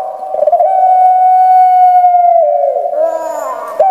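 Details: Kept puter pelung Barbary dove from Java, Indonesia, a large bird with a small shrill voice, gives a long drawn, steady tonal coo held about two seconds, then dropping into a lower, rougher broken ending.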